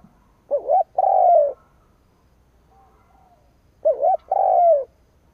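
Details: Captive decoy spotted dove cooing to lure and provoke wild males. Two matching phrases come about three seconds apart. Each has a brief undulating two-note opening and then a long, even, gently falling coo.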